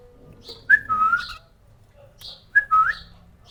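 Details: A cockatiel from a breeding pair gives two bright whistled phrases, each a quick upslurred note followed by a longer wavering whistle.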